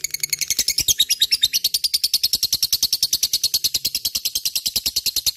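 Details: Lovebird chattering in the continuous gacor style used as a lure: dense, fast, high-pitched scratchy notes without a break, a little uneven at the start.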